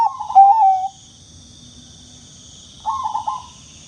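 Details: Bangkok zebra dove calling to prompt quiet doves to sing. There are two soft, warbling coo phrases with a pause between them and a thin, steady whine in the background.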